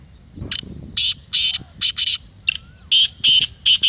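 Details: Rapid harsh, rasping notes of a black francolin, roughly ten buzzy bursts within four seconds, crowded into two close phrases, with a faint thin whistle beneath.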